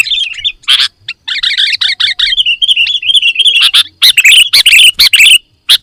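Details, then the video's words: Sooty-headed bulbul in full isian song style, played to make birds sing: loud, fast chattering phrases of warbled notes, with a sustained wavering trill near the middle, then rapid clipped bursts. "Suara Kutilang Full Isian - Biar Makin GACOR"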